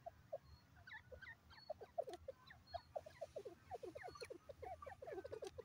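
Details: Grey francolin giving a rapid series of short, downslurred clucking notes, several per second, with fainter higher chirps over a low rumbling background.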